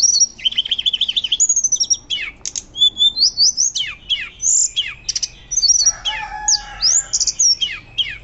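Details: A hill blue flycatcher (Cyornis whitei) sings loud, high whistled phrases with rapid trills and sweeping slurred notes in a fast, varied stream, used as a lure and master recording to teach other birds.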